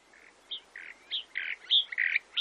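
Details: Chalk-browed mockingbird (sabiá-do-campo) from Brazil: scattered harsh, burry notes and short chirps around the upper-middle range, irregularly spaced with brief gaps, some higher squeaky accents.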